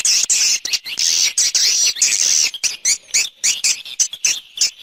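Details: Swiftlets from an external swiftlet sound set: dense, high, buzzy chirps and twitters, packed in the first half, then breaking into short separate bursts repeated several times a second.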